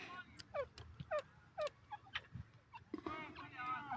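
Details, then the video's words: Partridges, called Irani teetar, in Iran. Clear downward-sliding harmonic notes repeat about every half second, followed by a longer, wavering, nasal call near the end. Other birds chatter softly behind. "teetar birds awaz, irani teetar birds awaz,partridge sound"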